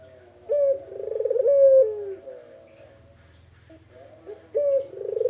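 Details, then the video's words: Local spotted dove, unedited recording, giving deep coos: a steady note, a trembling burst and a falling tail, with a quieter pause before the next phrase begins. "BURUNG PUTER LOKAL GACOR ISTIMEWA"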